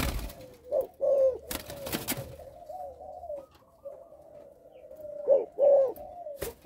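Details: Spotted dove from a Malaysian bloodline, kept caged and stuttering on the first three coo notes. Low, rounded coos come in small clusters between sharp clicking knocks and a faint drawn-out tone.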